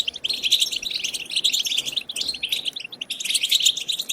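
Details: Wild chirping song of the European goldfinch, for stimulating goldfinches to sing: an unbroken, fast stream of high, liquid twitters and buzzy trills with slight rises and falls in loudness.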